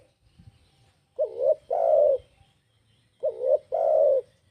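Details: Spotted dove calling to lure other birds: low hooting coos in paired phrases, a short wavering note followed by a longer drawn-out coo, repeated about every two seconds against a quiet background.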